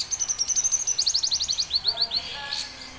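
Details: Red siskin singing: rapid twittering song of high, sharp chirps and trilled down-slurred notes, about four per second, with a brief lower warble near the end.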